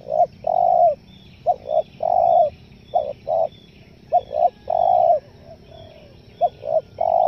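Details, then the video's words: Spotted dove calling 'nekan nguku selang gagap' style, a lure for wild forest doves; repeated phrases of paired clipped notes followed by a long hollow coo, four phrases in quick succession. "SUARA TEKUKUR NEK4N NGUKU SELANG GAGAP"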